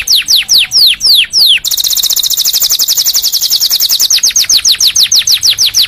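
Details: Canary song for teaching and prompting other canaries: a run of clear falling whistles, a fast buzzy high trill for over two seconds, then quick descending sweeps again.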